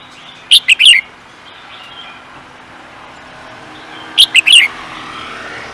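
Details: Bird kept for singing contests, giving two brief bursts of three or four sharp, high, chirping notes, the bursts about three and a half seconds apart, over a soft steady background hiss.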